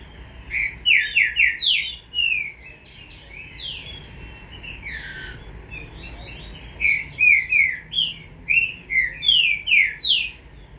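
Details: Green-winged saltator chick, bred in captivity, giving series of short slurred whistled notes in quick bursts, several notes at a time with brief pauses between.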